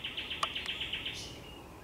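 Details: Short burst of thrush nightingale song at sunset, 30 May 2021: about nine crisp identical notes in rapid succession, with a couple of sharp clicks, ending in a brief high flourish.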